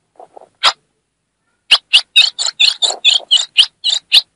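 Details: Female ultramarine grosbeak from Brazil's Northeast giving her chiado, a chirping call meant to excite the male: a few soft notes, a pause, then a rapid run of about eleven sharp, buzzy chips, clean background.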